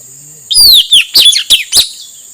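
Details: Male puling, or nuritanau (Asian fairy-bluebird), whose song is used to lure wild birds: a clear, high, downward-slurred whistle is followed by four short, sharp, bright notes within two seconds. The background is quiet.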